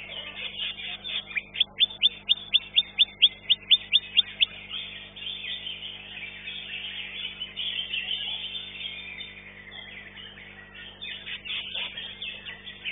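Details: Greater green leafbird in a singing competition, opening with about a dozen crisp, evenly spaced high whistled notes, then shifting into a busy, scratchy, rapid high-pitched warbling medley.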